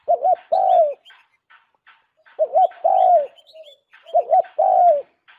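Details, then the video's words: Spotted dove used as a lure call: a soft, hollow coo phrase, a quick double note then a longer drawn-out coo, repeated about every two seconds. "Tiếng chim cu đất mồi"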